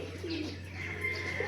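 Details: Newly acquired racing pigeons, many of them, kept by a fancier: a brief low soft coo early on, then quieter murmuring, over a steady high-pitched whine and a constant low electrical hum.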